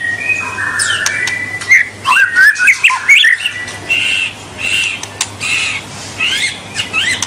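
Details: White-rumped shama song used to stimulate juvenile birds: whistled slurs followed by harsher squawking, scratchy notes repeated roughly once a second, over a faint low hum.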